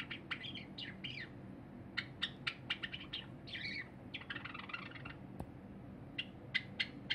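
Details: Pet cinnamon Java sparrow singing on 23 January 2021 as a silver Java sparrow eats: rapid clicks mixed with buzzy, slurred phrases and ringing notes, and one sharp knock late on, over low indoor hum.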